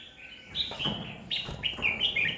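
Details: Red-whiskered bulbul decoy in competitive song meant to train and provoke rival bulbuls; two quick runs of clear, slurred whistled notes, slightly rising then dropping, over faint low background noise.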